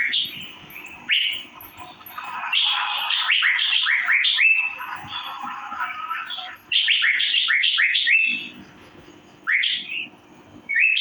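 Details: Asian fairy-bluebird chirping in a master recording: several bursts of fast rising notes run together into dense chattering phrases, separated by quiet gaps, with faint high ticking above.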